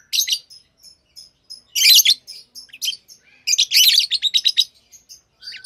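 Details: Pet lovebirds chirp busily: scattered thin single tweets broken by two dense bursts of harsh, rapid, high-pitched chirps.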